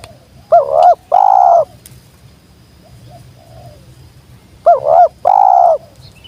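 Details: Wild spotted dove (tekukur) that has come down, calling in the sweet jergot style: two paired phrases, each a quavering double note then a long flat coo, repeated about four seconds apart, loud and near.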